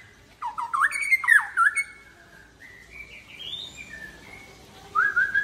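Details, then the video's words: After a midday bath, a Murai Aceh white-rumped shama spills out learned 'isian' song: quick looping whistled phrases with chattering accents, a softer rising whistled stretch, then a final bright burst of fluty notes. "Murai Aceh # Mandi Siang muntah isian"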